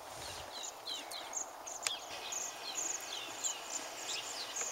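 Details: A flock of Bohemian waxwings feeding on a mountain ash on Christmas Day 2010, arriving and leaving in waves, give high, thin, buzzy trills, several overlapping in quick succession, with a few lower chirps and steady background hiss.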